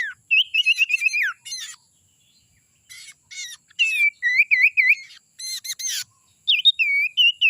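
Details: Forest-dwelling young sirtu, a call used as a bird lure: rapid runs of bright, wavering whistled notes repeated in quick bursts, mixed with high scratchy chirps and brief pauses between phrases.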